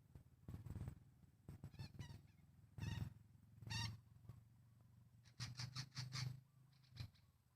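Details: A flock of red-breasted parakeets in a Sumatran forest gives scattered harsh, squawking calls in short bursts. A rapid cluster of calls comes near the end, and the recording is quiet overall with a low background hum.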